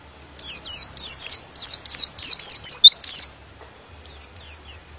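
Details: Singing white-eye whose voice provokes other white-eyes to join in: a rapid run of around ten thin, high falling whistles, then a short pause and a softer cluster of similar notes, with faint low hum.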